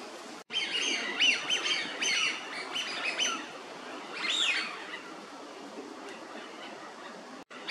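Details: Eurasian wigeon at Mizumoto Park, Tokyo, Japan, in March 2023: clustered high, arched whistles during the first three seconds, a louder rising-and-falling whistle near the middle, then quieter outdoor hiss.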